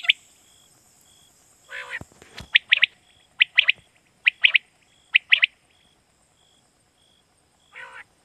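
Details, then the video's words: Quail calling in Pakistan, a sound used as a lure for night hunting: crisp high notes in pairs and triplets repeated roughly every second. A short rasping burst comes early, and a thin steady electronic tone runs throughout. "Batair Kirak batair ki Awaz For Night Hunting"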